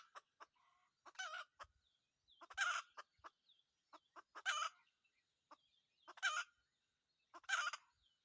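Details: Wild red junglefowl cock in decoy hunting, producing five short rasping bursts at irregular intervals, separated by scattered sharp clicks and soft clucks.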